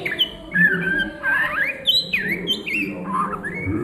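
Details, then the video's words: Oriental magpie-robin singing in the ngriwik style at midday: varied whistled phrases with rising and falling slurs, sharp upward sweeps and short harsh notes, over a steady low hum. "SUARA KACER NGRIWIK DISIANG HARI"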